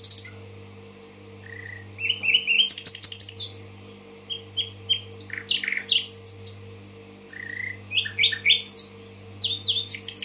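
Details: Long varied nightingale song from Tashkent: a low-pitched whistle, rapid pulsed trills, scattered sharp chirps and falling sweeps in several phrases separated by short pauses; steady electrical hum below.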